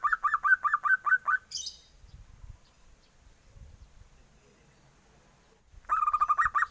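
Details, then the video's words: Young zebra dove sounding like a duckling: a fast run of about eight raspy notes, a brief high scrape, low handling noise and quiet, then another rapid series begins. "SUARA PERKUTUT MUDA"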